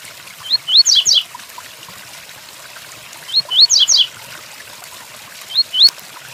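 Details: Tui Tuí song of a double-collared seedeater set against rain. Two rising whistles precede a quick cascade of steep downward notes, and the phrase repeats roughly every three seconds. The last phrase is only a pair of whistles.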